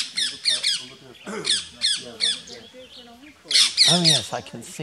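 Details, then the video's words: Rose-ringed parakeets mobbing a rat snake in Gir Forest, Gujarat, India, 3 April 2015. Grating screeches come in short clusters, interleaved with a person's speaking voice. "Parakeets Drive Off a Marauding Rat Snake"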